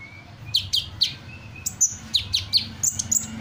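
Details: Energetic sunbird song imitating assorted bird calls: a quick series of high, steeply falling whistled slurs, with brief level piping notes between them, over a faint low background hum.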